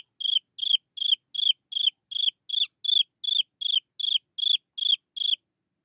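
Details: Chinese francolin chick calling to lure its mother: high, clear peeping notes that slur downward at the end, repeated steadily about two and a half times per second over a silent background.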